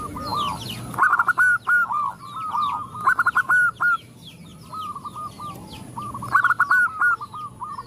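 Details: [1, 'yes', 'cooing calls', 'Zebra doves, a female calling to males with others responding: repeated stuttering cooing phrases, short clipped notes running into level hums, from several birds in turn roughly every one to two seconds; faint high chirps of other birds behind.']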